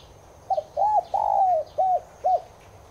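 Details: Spotted dove (Streptopelia chinensis tigrina) cooing meant to trigger caged doves: a soft double note, an arched coo, a long down-sliding coo and two short hoots about half a second apart, over low background noise.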